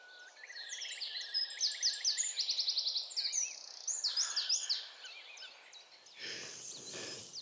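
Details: On a spring morning in a Norwegian forest, a common starling sings a jumbled, high song of rapid clicks, buzzy rattles and rising whistles, including a mimicked curlew call, ending with a brief rustling noise.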